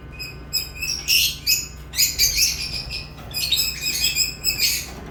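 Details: Continuous lovebird chattering: overlapping shrill squeaks and chirps in a busy, almost unbroken stream of rapid high notes, with a faint electrical hum in the background.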